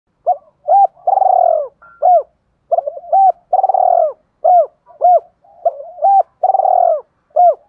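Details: Spotted dove cooing to provoke fighting and rouse other doves to call: a steady series of short, hollow, arched coos mixed with longer rolling, throaty phrases, repeated about every second with no other sounds.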